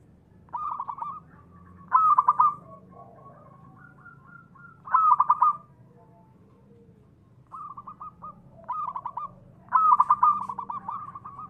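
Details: Cooing of a local zebra dove, meant to lure and stimulate other doves: loud rolling phrases about every three seconds, linked by softer stuttering coos, with quiet gaps between.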